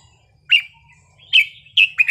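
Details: Short burst of Red-whiskered bulbul wild-style (pleng pa) song: three or four quick clear whistled notes, each sliding slightly, in a calm quiet setting.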